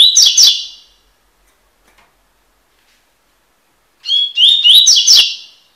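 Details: Coleiro tui-tui song for tutoring a seedeater: two high, fast phrases of buzzy chirps and slurred whistles, about three seconds apart, in a clean, quiet recording.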